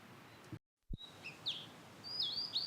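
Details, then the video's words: Blue-and-white flycatcher singing in satoyama, a brief gap in the sound, then scattered clear whistles and a closing pair of falling, slurred notes. "里山で幸せの青い鳥 オオルリ（囀りあり）"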